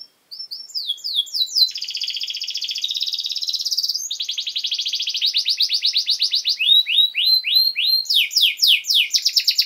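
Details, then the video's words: Canary song used as a master recording for training young birds: rapid rolling trills of repeated high notes, with sweeping whistled phrases shifting into fast buzzy series and descending chirps, loud and clean with no other sounds. "Canary Singing!Masteran Kenari Gacor Durasi Panjang 1 Titik Bagus Untuk PAUD Cantante Canario Actual"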